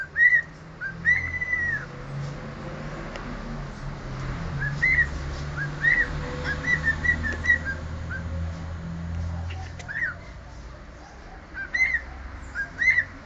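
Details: Domestic cockatiel performing the Sport club anthem in scattered bright whistled notes and short rising phrases, set against steady low household hum and background noise.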